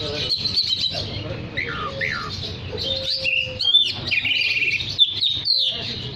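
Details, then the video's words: Oriental magpie-robin sings briskly to call other magpie-robins: varied whistles, downslurred notes and a buzzy trilled phrase, growing louder in the second half, over a low steady drone. "Terapi Suara kacer gacor untuk memanggil kacer lain dijamin langsung ikut bunyi"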